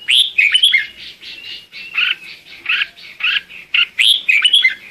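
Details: Lure song of a red-whiskered bulbul calling its flock, a continuous run of rich warbled and slurred notes, quick chirpy phrases following each other with little pause.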